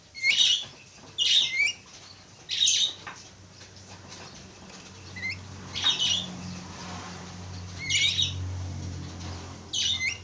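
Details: A pair of Javan mynas giving harsh, squawky, noisy bursts, each under half a second, repeated irregularly every one to two seconds, with a faint low hum underneath.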